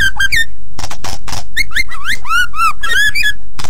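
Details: Very vocal white-rumped shama singing a master song for other birds to learn. It gives rich slurred whistles that rise and fall, mixed with short harsh buzzy bursts, in a lively irregular phrase.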